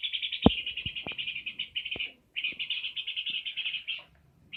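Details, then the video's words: Energetic peor bird song made of fast, rattling high chatter in long unbroken bursts, one pause midway, with occasional sharp knocks and clicks underneath. "Burung peor gacor"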